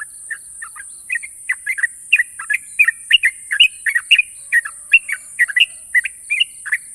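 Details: Champion Sooty-headed bulbul delivering long, sharp trills, a continuous run of quick liquid chirps and short whistled notes, closely spaced, over a constant high background hiss.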